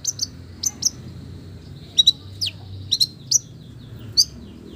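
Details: Sparse, thin high chirps and short downslurred whistles from a long-tailed shrike copying village birds, given singly or in pairs with pauses between, over a soft steady low hum.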